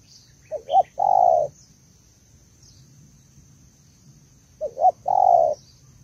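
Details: Female spotted dove calling to stimulate the male: two phrases about four seconds apart, each two short low notes followed by one long, drawn-out coo, over quiet background hiss.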